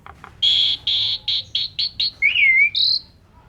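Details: Asian pied starling song: a row of six harsh buzzy notes that grow shorter and quicker, followed by a bending whistled slur and a higher buzzy note.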